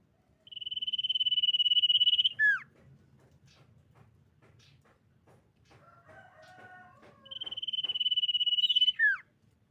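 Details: Common iora song used to lure rival birds into singing: a long, steady, high trilled whistle ending in a sharp downslur, given twice, with faint scattered chirps and a few mid-pitched notes between.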